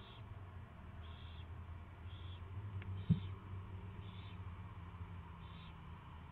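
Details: Owl's first feeding on February 24, 2016, 2:15 PM; soft rasping hisses recur about every second, with a single loud knock near the middle and a steady low hum.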